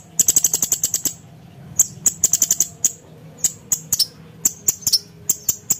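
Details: Cucak cungkok (blue-winged leafbird) training song for contest birds: fast rattling series of very high, sharp ticks, breaking into irregular spaced chips with brief whistled notes.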